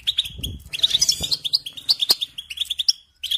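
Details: Kept goldfinch singing: bright staccato tweets in quick series with tinkling trilled notes, a low thump near the start and a short silence before the final chirps.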